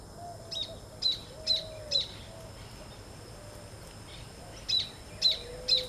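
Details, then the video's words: A Great Kiskadee gives sharp, high notes in two bursts, about two per second, against a thin, steady cicada drone. "benteveo vs chicharra"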